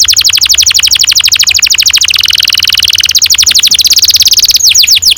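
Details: Canary delivering ngerol panjang, a long rolling song used as a stimulus for young canaries: a steady rapid rattle of sharp notes, several per second, briefly thickening into a dense buzz, then ending with fast falling whistles.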